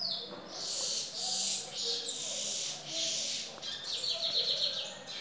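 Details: Lesser goldfinch (Dominico), a master singer, singing at home: high, dense twittering and buzzy phrases in repeated bursts about a second long, with rapid trills near the end and a faint low background hum.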